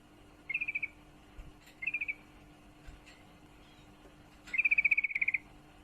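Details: Female yellow-vented bulbul in breeding condition calls to a male with short chattering bursts of four to six notes, then a longer run of about a dozen rapid notes, over faint clicks and hum.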